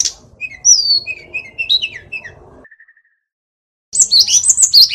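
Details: Blood-breasted flowerpecker (tledekan gunung) giving thin, very high chirps and short whistled slurs, then a pause of about a second of near silence, then a dense burst of rapid high twittering.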